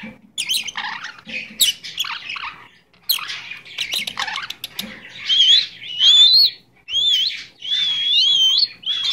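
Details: Pet Goldie's lorikeet chattering: rough squawks and clicks at first, then a series of clear wavering whistles, rising and falling, repeated about once a second.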